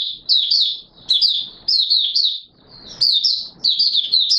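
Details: Mata Puteh Raja, the Oriental white-eye, in open song on 24 March 2022: high, thin, rolling twitter phrases of several quick notes, coming in bursts between quieter gaps.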